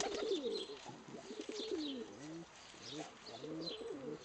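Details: Tame pet pigeon, a female, in an aviary, cooing in response to a person cooing and bowing at it; low soft rolling coos in bursts, with faint background chirps.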